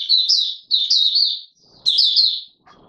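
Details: Courting Oriental white-eye, 25 January 2022: three quick bursts of high-pitched, twittering slurred notes, each under a second long, separated by brief silences.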